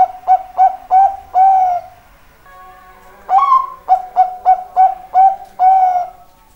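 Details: Actively calling zebra dove giving two bursts of soft, even coos, short repeated notes that close with a longer, slightly falling drawn note, separated by a pause of about a second.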